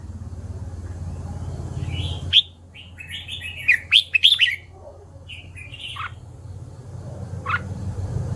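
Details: Red-whiskered bulbul singing a burst of short, liquid, chirping whistled notes over about three seconds, then a couple of isolated notes, with a steady low hum in the background.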